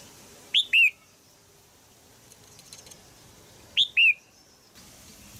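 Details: Female red-whiskered bulbul, kept in a cage in Thailand, calling to spur a young male into song. A sharp two-note chirp, the second note sliding downward, is given twice about three seconds apart, with quiet between.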